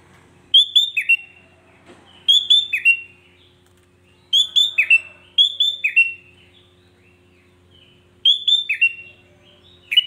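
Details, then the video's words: A sooty-headed bulbul sings a provoking song meant to stir up other bulbuls. Four clear, lively phrases of bright chirped notes that slur downward, repeated roughly every two seconds against a quiet background. "Hanya hitungan detik kutilang lain pasti ikut emosi"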